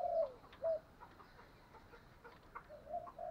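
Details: Morning lure call of a spotted dove used to attract other doves: a few soft, low coos at the start and end, partly masked by background hiss and faint chirping.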